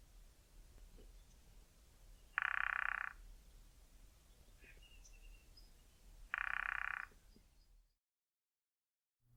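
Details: Male cardinal woodpecker drumming against a dry tree trunk in the bush, two short, rapid, even rolls about four seconds apart, declaring territory or contacting a mate; faint chirps of another bird and low background hum.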